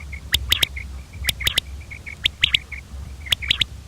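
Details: Common quail calling: a sharp three-note phrase, one note then a quick pair, repeated about once a second, with soft high chirps from other birds in between and a low steady hum underneath.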